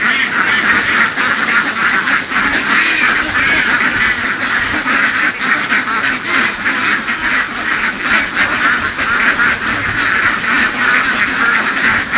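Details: A big flock of laying ducks being herded in open fields in the western region, many birds quacking at once into a continuous, raspy wall of sound with no gaps.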